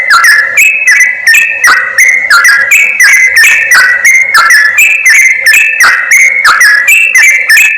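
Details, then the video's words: Yellow-vented bulbul calls played as a lure for catching wild birds: a long run of lively, overlapping whistled chirps in quick succession, pitch hopping between high and lower notes, with hard clicking edges. "SUARA PIKAT BURUNG CRUKCUK/TRUCUK BUAT PARA PEMIKAT"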